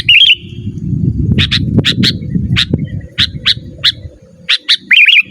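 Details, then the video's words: Sooty-headed bulbul calling, used to lure wild birds and to train caged birds: a short warbled phrase opens and closes the clip, with sharp paired chips in between over a steady low rumble. "Suara Burung KUTILANG GACOR Asli Tanpa ISIAN"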